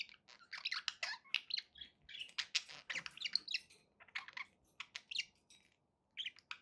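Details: Pet budgerigars indoors, a steady stream of quick chirps, squeaks and clicking warbles over a faint low background hum, ending with a short pause and a final chirp.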